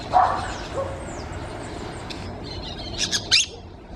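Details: Wild orange-chinned parakeet giving a brief scratchy mid-pitched note at the start, then after a quiet stretch a few quick, shrill screechy chirps near the end, with a steady low hum underneath.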